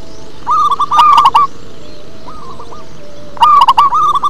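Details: Deep-voiced song of a local zebra dove: two loud rolling phrases of rapid staccato coos, a fainter echoing phrase between them, steady low background noise.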